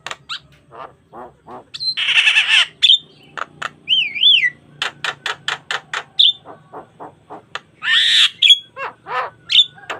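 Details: Javan myna in full, busy song for mastering and luring caged starlings; dense harsh rasping phrases, a wavering warbled whistle, and long runs of clipped chattering notes delivered rapidly throughout, clear natural recording.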